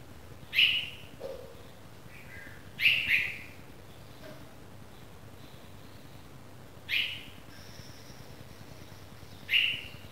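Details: Newly fledged red-vented bulbul chick calling: four short, sharp, high notes spaced two to four seconds apart, over quiet background noise.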